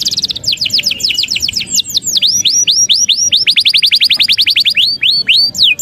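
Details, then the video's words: Canary (kenari) singing vigorously: loud, fast series of high, sweeping whistled notes, each rising or falling, delivered in rapid rolls of several per second with changing note shapes. "SUARA KENARI GACOR"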